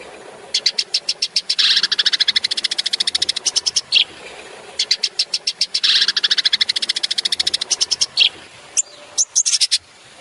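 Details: Long-tailed shrike, tembakan song from a master recording for training songbirds. Two bursts of fast, sharp high notes, each swelling into a harsh chatter, then sparse squeaky notes. A faint hiss sits underneath.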